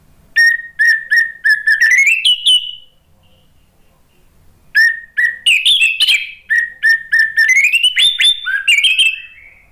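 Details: Orange-headed thrush (Geokichla citrina), song: used to stimulate other birds to sing.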